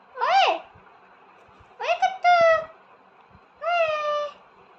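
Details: Talking parrot speaking in three tonal, voice-like phrases: a quick rising-falling syllable, then a two-part utterance, then a longer level phrase, with faint tapping sounds in a quiet room.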